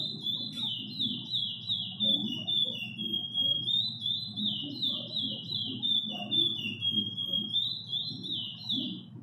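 A chestnut-bellied seed finch sings a long, unbroken run of clear, fluty whistled notes that slur up and down, over a low background murmur.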